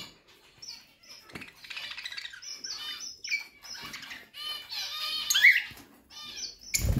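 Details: Budgerigars kept as pets alongside ringneck chicks, giving rapid scratchy chatter and short high chirps, with bursts of wing-flapping and some clattering noises.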